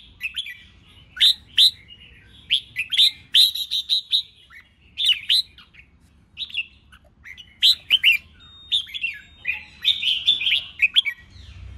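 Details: Red-whiskered bulbul in a 'ché chét' contest song played to stir newly caught birds into singing. A busy run of bright, bubbling whistled phrases follows in rapid succession, with only short pauses throughout.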